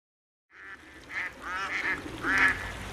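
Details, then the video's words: Whooper swans (Cygnus cygnus) wintering in Olomouc, Czech Republic give loud, nasal, trumpeting honks, several overlapping calls in quick succession, with a low background murmur. "Labut zpevna_Cygnus cygnus_Whooper Swan"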